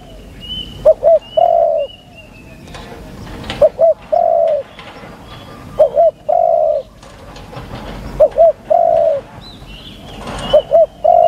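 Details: Spotted dove used as a decoy to lure wild doves, cooing live. Low, mellow phrases, each a quick double note followed by a longer drawn-out coo, repeat about every two and a half seconds. Faint higher chirps from other birds sound behind them.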